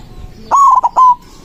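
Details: White zebra dove sings strongly to call rivals: a sustained coo that breaks into a short stutter, then a final long held note, clear over a quiet background.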